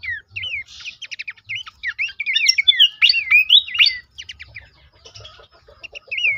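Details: Horsfield's babbler song, played to stimulate caged birds to sing: a busy run of clear whistled notes, rising and falling slurs, with a few buzzy fragments and brief pauses.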